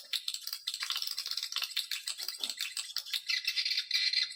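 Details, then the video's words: Swiftlet lure call meant to attract swiftlets: rapid buzzy chattering chirps, packed closely, rising and falling in loudness several times a second. "suara panggil walet"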